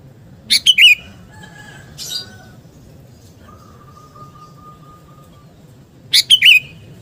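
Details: Sooty-headed bulbul known as kutilang garuda, singing actively, meant to build fighting spirit: two brisk bubbly chirping phrases several seconds apart, with a faint drawn-out whistle-like tone between them, over a soft background rumble.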